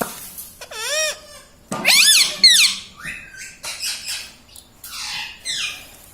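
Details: Pet rose-ringed parakeet indoors, talking: rising and falling harmonic syllables, like the words "Mummy Papa" and "Mitthu", in short phrases with pauses, ending in fainter, breathier sounds.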